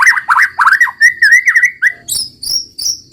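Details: White-rumped shama, 'roll tembak' song style, giving a run of rich rolling whistled notes that slide up and down, followed by several thin, high piercing whistles.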